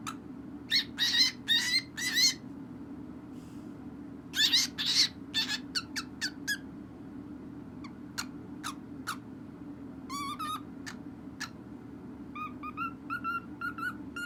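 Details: A pet cockatiel of unknown sex, described as tone deaf, sings in raspy bursts, then shifts to clicks and short, off-key whistled notes.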